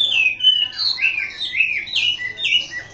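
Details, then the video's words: Caged champion contest Chinese hwamei, a male singer from southern China, pouring out loud rich whistled phrases that slur up and down in quick succession, fluty and varied with no pauses. "Kicau Burung Hwamei Wambi Gacor Juara"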